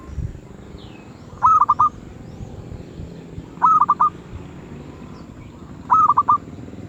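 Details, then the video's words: Zebra dove, medium voice, giving regular rolling coos of four rapid notes, three phrases about two seconds apart, over steady low background noise. "Merbuk suara sedang"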